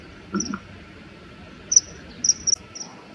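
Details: Territorial dispute between male common kingfishers, one attacking the other in the air: a few scattered high, shrill piping notes, then a quicker cluster, over low steady noise.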